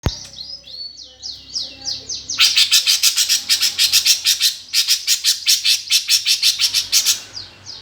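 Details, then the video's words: Greater green leafbird (cucak ijo) singing in the fighting sparrow style, a lure to provoke competition birds so their voices carry at the hanging pole. High, rapidly falling sweeps, then fast, loud, harsh chattering bursts in a steady stream. "cucak ijo suara gereja tarung"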